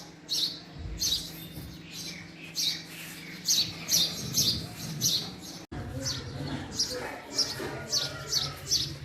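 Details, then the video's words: Male house sparrow chirping persistently, short bright notes given roughly every half second to second in an uneven rhythm, with a soft low drone beneath. "Male Sparrow Sound | Male Sparrow Call | Sparrow Sound Effect | Call Of Male House Sparrow"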